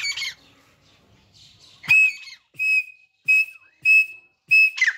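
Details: Hand-tame grey francolin, known as Irani or Dakhni teetar, giving loud, clear whistled notes at an even pitch. Five separate calls come at roughly half-second gaps after a quiet, scratchy opening.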